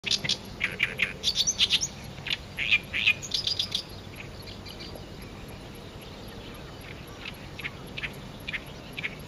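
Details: Oriental reed warbler singing near its song post, a loud, harsh, chattering run of repeated grating notes for about four seconds, then fainter scattered notes over soft hiss; a female bull-headed shrike nearby, neither interacting.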